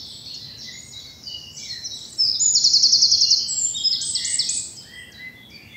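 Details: Birds singing on a spring morning in a sunlit bluebell wood in southern England; a bright rapid trill of repeated high notes, then jumbled twittering phrases, other distant singers underneath.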